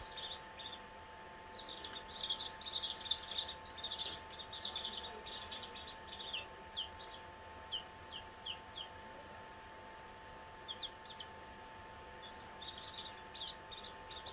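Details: Four-day-old farm chicks growing more adventurous peep in high, thin notes, first in a dense flurry and then as scattered single peeps, over a steady low hum and background noise.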